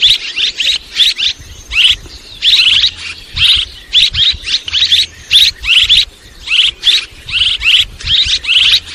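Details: A barn swallow chirps continuously, with short scratchy notes coming about twice a second over a low rumbling background.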